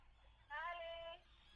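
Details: Common tern at the nest, Atlit, 10 June 2010: one loud, flat, nasal call lasting under a second, rich in harmonics, standing out over faint background colony noise.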